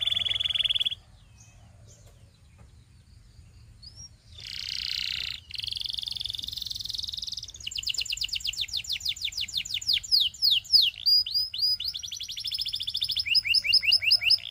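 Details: Belgian canary singing, used for teaching young canaries to sing: a long varied phrase of high sustained buzzy notes and fast rattling trills, then rapid rolling descending sweeps repeated in quick series, ending in a bright chattering burst.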